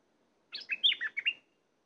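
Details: A decoy bulbul, used to draw in wild birds, sings a single rapid, liquid phrase of roughly six chirped and slurred notes lasting under a second, with near silence around it.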